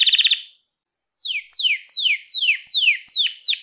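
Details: Canary song from a recording meant to train young pet canaries to sing: a fast trill, a pause, then seven clear descending whistled sweeps repeated about every third of a second.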